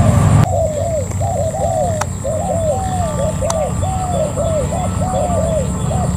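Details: Wild-caught spotted dove kept as a decoy bird, cooing in a quick series of short, arched, slightly falling notes, over a steady low rumble and a constant high-pitched whine.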